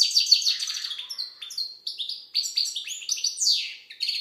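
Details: Lively song of an Algerian goldfinch (European goldfinch): a quick, unbroken chatter of high tinkling notes and short rasping trills, with sweeping slurred chirps.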